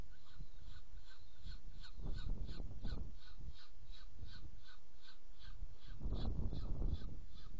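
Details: Saker falcon recorded in Hungary on 7 May 2017 while feeding, giving a steady train of clipped, grating calls about three to four per second. Bursts of deep rumbling noise come and go underneath, strongest near the end.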